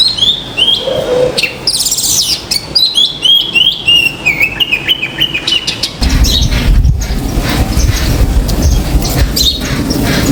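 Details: Common myna on a balcony calling: a lively series of short high chirps and upward-flicking whistled notes over six seconds, some squeaky and rapid. Afterwards only a steady rushing background noise.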